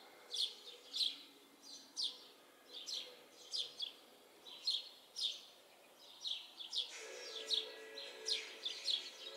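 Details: Several house sparrows perched in a yard tree chirp steadily, each call a sharp high chip repeated about every half second to a second, with a soft hiss of background noise rising toward the end.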